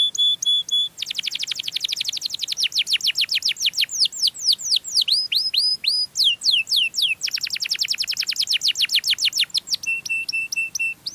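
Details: Sweet canary song for luring other canaries, built from long runs of rapid falling sweeps and rising slurred notes, some tours very dense, finished with steady whistled notes.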